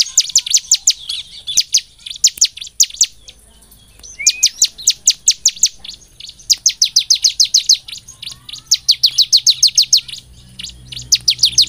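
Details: Bar-winged prinia song played to make birds sing: long trains of fast, shrill chirps, one pause of about a second, then more energetic rapid series.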